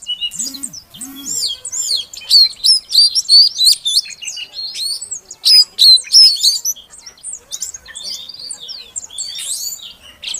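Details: Female Oriental magpie-robin call used to lure a quiet male into singing; two low hoarse notes at the start, then a long run of sharp whistles and twittering chirps repeated about three times a second.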